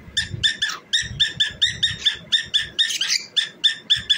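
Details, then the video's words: Singing as it dances, a cockatiel delivers about sixteen clipped, nasal, ringing notes in a brisk rhythm. One note in the middle sounds rougher and more smeared, with light thumping below. "Cockatiel Singing and Dancing"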